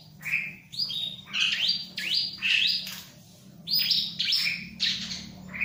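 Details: Energetic bar-winged prinia song beside a myna: high, bright notes sweeping sharply down, delivered in tight groups roughly every second, with a quiet low background hum.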